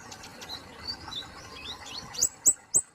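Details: Indonesian kemade polos songbird: soft high rising whistles, followed by four loud, piercing, downward-slurred chirps spaced evenly in the final second.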